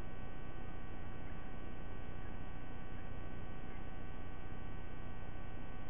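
A constant low mechanical drone with steady tonal hum lines runs throughout, with no animal sound.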